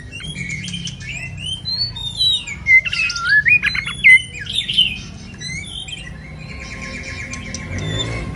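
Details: White-rumped shama singing kéo thuốc lào while moulting: scattered whistles build into a dense burst of warbled, twisting notes midway, then fade into rustling noise.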